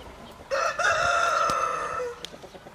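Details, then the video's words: One loud, harmonic rooster crow opens sharply and holds a long, even note for about a second and a half before dropping away, set against a low background hiss. "Roosters crowing"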